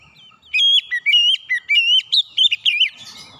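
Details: Oriental magpie-robin calling: a rapid run of about nine clear whistled notes, each bending up and down in pitch, delivered within under three seconds against a quiet background.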